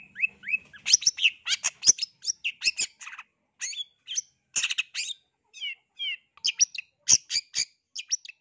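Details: An agitated Long-tailed shrike, used as a lure to provoke rival shrikes into answering, pours out a fast, scratchy medley of harsh chatters, sharp chirps and squeaky whistled notes, almost without pause.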